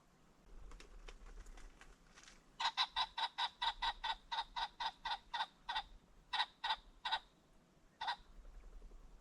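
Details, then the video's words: Along a creek bottom as the sun sets, a Ring-necked pheasant gives a long run of loud, harsh, evenly spaced notes, around twenty, slowing and thinning out toward the end after faint ticking at the start. "The Sounds of the Ring-necked Pheasant"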